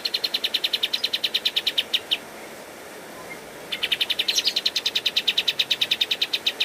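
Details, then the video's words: Cage-bird training master of the pied triller (kapas tembak): a fast steady rattle of high notes, about three per second, breaking off for a second and a half before resuming just as rapid. "Masteran Kapas Tembak Gacor Terbaik 2022"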